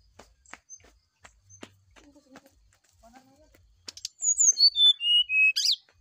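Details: Brown-chested jungle flycatcher in the morning, singing a fluting song meant to prompt a reply. Quiet clicks and tapping come first, then a loud phrase of falling whistles ends in a harsh buzzy note.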